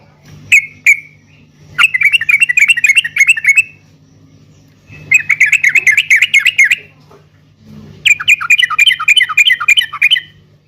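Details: Song of a caged yellow-vented bulbul, meant to set off answering song in other caged birds. Two short chirps come first, then three chattering bubbly bursts of about two seconds each, with a steady low hum behind them.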